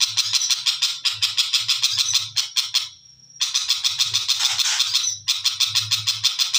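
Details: Long-tailed shrike, cendet macan type, delivering a continuous rapid scratchy chatter of harsh notes about three per second, broken by a brief thin steady whistle, with soft low knocking pulses underneath.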